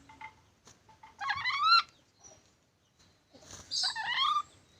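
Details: Black-capped lory uttering two loud, harsh bursts of stacked, grating notes, each lasting about half a second and separated by a pause, with faint clicks in a quiet background.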